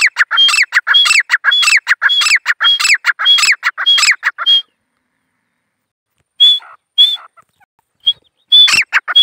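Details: Wild grey francolin giving a rapid run of loud ringing notes, each with a sharp whistled peak, repeated for about four and a half seconds, then silence before several separate calls resume near the end.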